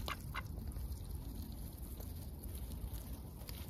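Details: Lively ducks seen close up under heavy overcast skies, busy with their daily routine; two quick raspy quacks open the moment, followed by a constant low rumbling background.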